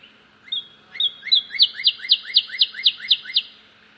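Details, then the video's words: A cardinal near a bird feeder where another cardinal is feeding sings a loud, clear series of about ten slurred, whistled notes that speed up to roughly four per second, with no other sounds standing out. "other cardinal making aloud sound"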